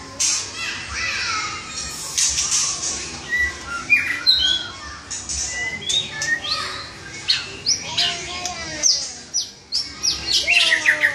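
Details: Gacor song of a white-rumped shama (murai batu): a busy, varied run of slurred whistles, chattering squawks, downward-sliding notes and quick rising trills, with hardly a pause.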